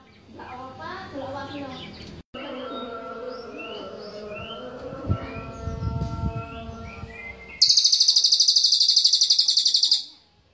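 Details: Cililin, a bird whose sharp, closely packed song is used to tutor other songbirds: mixed chirps and tonal notes at first, then a loud, very dense high trill running for over two seconds before stopping abruptly.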